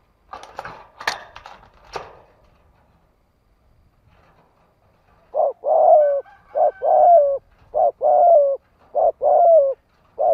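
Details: Spotted dove decoy in the 'thổ đồng' style luring wild doves: brief clattering knocks at first, then a quick run of hoarse, descending coos, nearly continuous for five seconds.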